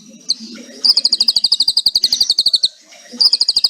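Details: Rapid machine-gun kretekan trill from a white-rumped shama: a long run of even, very high clipped notes lasting nearly two seconds, briefly resumed at the end.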